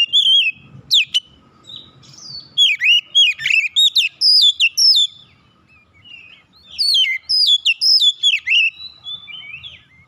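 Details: Angry kacer, an oriental magpie-robin, provoked into challenging an opponent with its mimicked fill; scattered whistles at first, then two long dense runs of rapid, varied slurred notes and chips.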